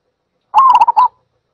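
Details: Zebra dove giving a single rapid staccato cooing phrase of about five quick notes lasting half a second, bright and slightly trilled, in otherwise silent surroundings.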